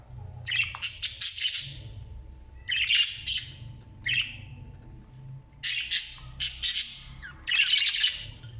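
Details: Newly hatched Australian parrot chicks calling as parents feed them, rasping, noisy squawks in rapid pulsed bursts of one to two seconds, several bouts with quiet gaps, a steady low hum in the background.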